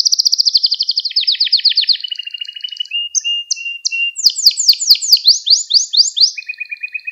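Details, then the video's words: Canary performing song in a recording for teaching young canaries: loud rapid trill descending in pitch, short repeated whistled notes, then a run of fast sweeping syllables and a closing buzzy trill. "Müthiş Ders Gibi Kanarya Sesi Ve Ötüşü"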